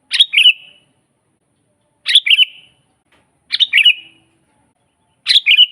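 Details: Sooty-headed bulbul in full song, recorded for training caged birds: four identical chirpy bubbling phrases, each a sharp opening note sliding into lower warbles, spaced about one and a half seconds apart with silence between.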